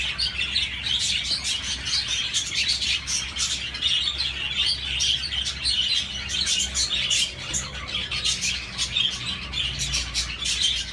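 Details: Several budgerigars chirp together in a steady stream of thin, grating warbles and rapid tick-like notes, the chorus holding an even intensity for the whole stretch with occasional louder pulses.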